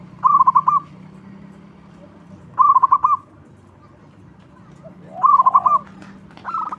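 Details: A local zebra dove kept as a lure for other doves gives three loud bursts of quick, bubbling coos about two and a half seconds apart, each a tight cluster of pulses; a softer dove calls at the end.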